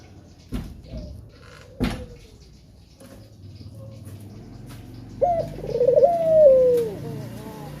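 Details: Male spotted dove giving a lure call meant to prompt other doves to sing: after scattered clicks and knocks, one coo starts with a sharp note, rolls into a wavering trill and ends in a long falling tone.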